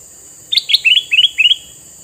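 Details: Red-eyed male sooty-headed bulbul, used to draw in wild bulbuls, delivers a fast bubbly phrase: two sharp notes, then three paired upslurred chirps in quick succession, over a faint constant high hiss.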